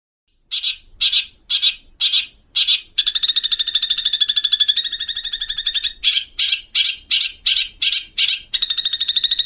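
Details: Long-tailed shrike song used as a training recording for cagebirds, said to carry imitated fills of sparrow and kuntilanak: harsh, scratchy notes about twice a second give way to a fast rasping chatter, then the spaced notes return before another rattling burst.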